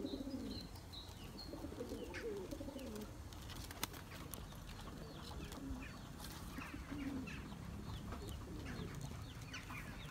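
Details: Turkish tumbler pigeons chasing their mates for eggs in a loft; a run of rolling coos opens the recording, then fades to quieter murmurs under scattered high chirps and soft flutters.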